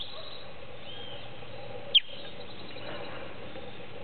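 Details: A recently fledged Creamy-bellied thrush in a hedge during the late afternoon, seeming to call to its family, gives one brief, sharp, high-pitched downward chirp near the middle; faint other birdsong in the background.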